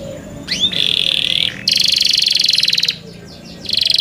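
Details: Young canaries kept by their owners singing: a rising whistled sweep, then steady buzzy trills of fast, even pulses held for over a second each, with a short pause before another trill begins.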